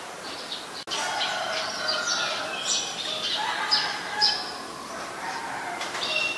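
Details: Eurasian tree sparrow (Passer montanus) recorded 10 May 2020 in Ubon Ratchathani, Thailand, where it is a very common resident: bright, irregular chirping notes, roughly two a second, with fainter tonal notes lower down and constant background hiss.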